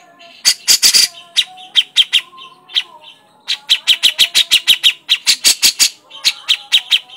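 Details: Cucak jenggot, the grey-cheeked bulbul, chattering in crecetan style: loud raspy notes early, then uneven bursts of sharp ticking notes in quick groups with short gaps.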